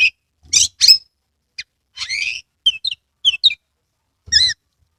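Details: Oriental magpie-robin in Kebumen, Central Java, singing as a lure for reluctant birds of its kind: loud harsh notes open, followed by a buzzy phrase, small whistled pairs and a final wavering warble.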